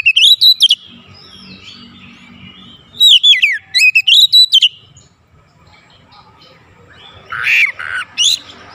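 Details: Lure recording of an Oriental magpie-robin singing to prompt other birds: quick clusters of sweet whistled and twittering notes, a pause, a second burst of sliding whistles, then harsher chattering notes after a quiet gap.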